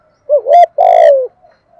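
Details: Decoy dove giving a wavering rising coo followed by a long, vibrating coo that glides downward, soft and low against a silent background.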